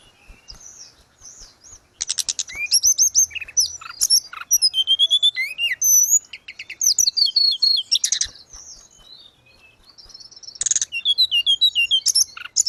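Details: Grey-cheeked bulbul in full, energetic song for training caged birds: dense bursts of high twittering and whistled slurs, broken by short pauses, with rapid trills repeated several times.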